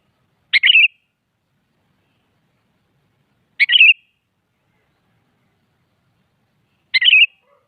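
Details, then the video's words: Morning song of a sooty-headed bulbul calling out a rival to answer; three brief gurgling phrases of a sharp onset and rolling warble, repeated roughly every three seconds with silent gaps. "Suara Burung Kutilang Pagi Hari Mengajak Lawan Adu Bunyi"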